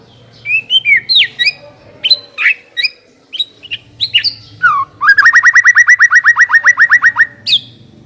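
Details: Shama song lure to get a white-rumped shama singing quickly: varied whistles and slurred notes, then a long rapid run of about twenty identical sharp chips over roughly two and a half seconds, with a low hum.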